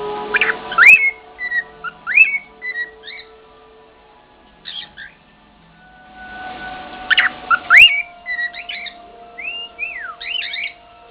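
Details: An older male cockatiel kept as a pet whistles bits of the Andy Griffith theme, which he sings all day; rising swoops and short level notes in two bursts, with a steady background hum and occasional clicks.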